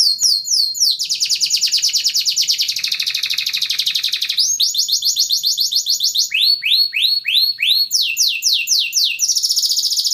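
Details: Yellow canary song for training: fast trilled phrases change every second or two, from dense buzzy rolls to slower, clear rising and falling sweeps repeated several times.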